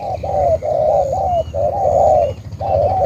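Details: Spotted dove from Cà Mau, Vietnam, giving loud, drawn-out hollow coos, some slurred together, with brief gaps between phrases.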